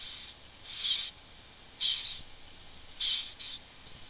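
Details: Wood warbler at its nest, caught on a webcam on 11 June 2011: three breathy, high squeaky bursts about a second apart, the last one doubled, above faint constant hiss.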